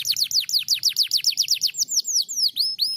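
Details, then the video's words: Canary singing in reply to a lure recording: a fast run of high, downward-slurred whistled notes, about six per second, slowing into longer, looping slurred notes near the end. "Pancingan kenari langsung nyautt.."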